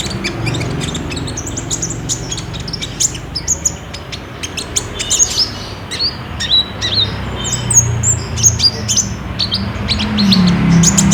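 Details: Olive-backed sunbird song used as a lure so a caged bird answers and sings, recorded on a Samsung J5: dense run of thin, very high chirps and quick twittering notes in rapid succession, with a low rumble underneath.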